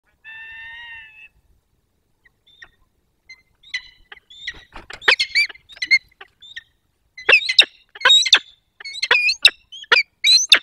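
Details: Peregrine falcon pair meeting at their nest in the Barycz Valley, Poland, on 22 October 2024: after a brief steady whine, sharp harsh chipping calls come in irregular bursts, quickening and growing louder toward the end.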